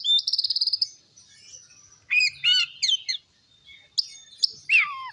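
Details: Oriental magpie-robin song used to provoke rivals: a fast buzzy trill of about ten pulses, a quiet gap, then several loud downslurred whistled notes and scattered sharp chips.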